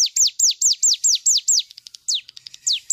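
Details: Cigun bird in full, energetic 'nembak' song used as a training recording for other birds: a rapid series of loud, sharply down-slurred high whistles, about eight in a row, then softer scattered chips and more falling notes.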